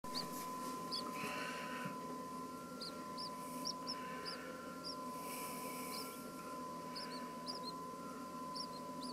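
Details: Two two-day-old Chinese blue-breasted quail chicks, uneasy about being filmed, give soft, high, upslurred peeps in loose irregular series, over a steady electrical hum and faint rustling.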